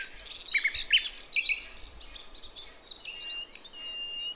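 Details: Sikatan londo flycatcher from Javan forest, a wild lure recording of a female calling the male, used to attract young birds: high thin chirps and short whistled notes in quick bursts, then a sustained high whistle over steady background hiss.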